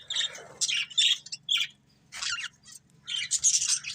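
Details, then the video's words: Breeding pair of budgerigars chirping: bursts of harsh, scratchy chatter with buzzy notes, coming in irregular clumps separated by short pauses, over a faint low hum. "Cute Budgies Chirping Sounds | Love Birds Breeding Pair"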